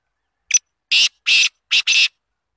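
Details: Pakistani black francolin from Azad Kashmir giving a harsh, rasping call: one short clipped note, then four loud scratchy bursts in quick succession, the last two almost joined, with silence around them.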